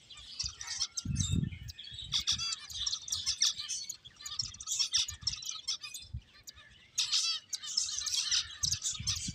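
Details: Finches at play chirp in bursts of bright, high twittering separated by brief lulls, with a dull thump near the start.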